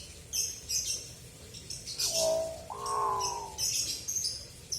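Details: Pet hill myna giving drawn-out, slightly nasal whistled notes, first level then gently falling, over a second and a half, while small birds chirp high and repeatedly in the background.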